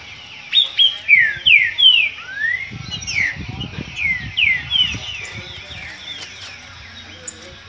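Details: Green-winged saltator in a disputing bout, a burst of about ten clear, downward-sweeping whistles that fades out in the second half, with soft low background noise.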